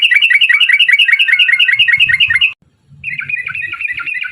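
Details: Sooty-headed bulbul in rapid 'ropel' song, aimed at making other birds sing: a fast, loud string of chirpy warbled notes, a brief silence, then another quicker, softer rattle of notes.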